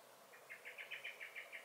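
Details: Alarm call of a common blackbird (Turdus merula) in a May 2021 garden: nine tight, metallic chink notes in quick succession, evenly spaced and steady in pitch, with light background noise.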